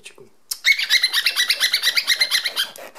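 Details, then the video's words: Indoor male cockatiel that loves the zipper sound and keeps demanding it continue: a quick, steady string of buzzy, ringing chirps repeated several times a second for about two seconds, with a faint tap at the start. "My cockatiel likes the sound of the zipper opening and closing.."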